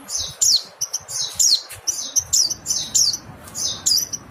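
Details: Mountain white-eye calling for songbird tutoring: crisp, high, down-slurred notes, roughly one burst every half second, with faint low-frequency background noise.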